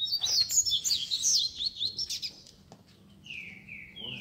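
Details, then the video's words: A chorus of caged double-collared seedeaters (coleiros) at a bird keepers' Sunday meet, warming up a competition bird: dense high twittering and trills, then a few long, even, drawn-out whistled notes. "BADERNA de Coleiros TOP - Ótimo para esquentar seu Coleiro de Roda!!!"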